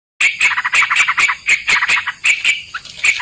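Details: Sooty-headed bulbul (trucukan) recording played as a lure for trapping birds: quick harsh chattering notes, about one or two per second, uneven in spacing, with a steady high hiss behind them.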